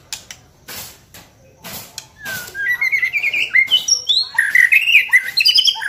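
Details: White-rumped shama song used as a lure to trigger singing; soft clicks and taps at first, then a dense, fast, varied sequence of twittering and whistled notes building in loudness.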